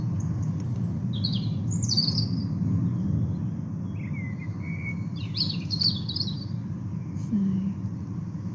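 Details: During the dawn chorus, a European robin sings from a hawthorn in a hedgerow to the right: short, high, wobbly and watery phrases with pauses. A lower blackbird phrase joins in over a steady low rumble.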